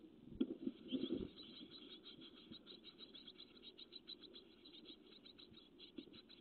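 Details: Great tit chicks in a nest box, growing bigger each day, recorded by webcam on 12 May 2017; thin high notes repeat in a rapid, uneven series of about two per second, with soft low thumps and rustling near the start.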